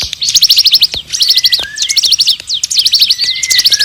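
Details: Bar-winged prinia singing hard: tight clusters of very high, rapid chirps repeated about once a second, with level whistled tones running underneath, recorded to train magpie-robins and prinias.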